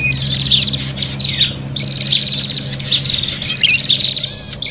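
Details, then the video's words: Prinia giving an excited, combative lure call: bursts of high buzzy trilling, each lasting about a second, separated by brief chirps and short downward slurs, with a quiet low hum beneath. "suara prenjak pikat ribut tarung"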